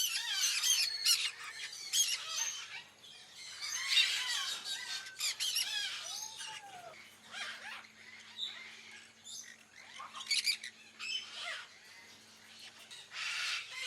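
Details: Sun conures at a wildlife park squabbling with a companion over food, giving harsh, high screeching squawks in rapid, uneven bursts.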